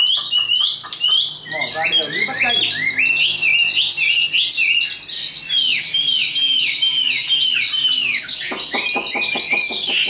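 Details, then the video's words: Hand-tamed Chinese hwamei in a cage, a high singer suited to contests, delivering a rich ten-second song of slurred whistles and downward-sweeping notes, ending in a burst of rapid, harsh repeated chatter. "Họa mi số 1129 Chim thuần sách tay hót cao cầu đấu tốt"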